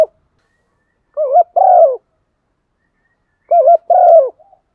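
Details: Spotted dove calling its flock in the morning, in the 'bổ một' style: two low mellow phrases, each a rising coo followed by a longer, slightly falling note, about two and a half seconds apart.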